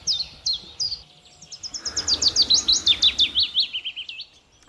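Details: A Willow Warbler, which starts singing around mid-April, gives a fluty phrase that cascades steadily downward and sounds melancholic, ending with a small lift, over faint background noise.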